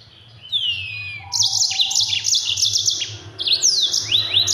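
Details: Mozambique canary, a yellow-fronted canary, in fast rolling song for training other birds: a high sliding whistle opens, then dense buzzy trills and quick rising swoops repeat almost without pause, with a faint low hum beneath.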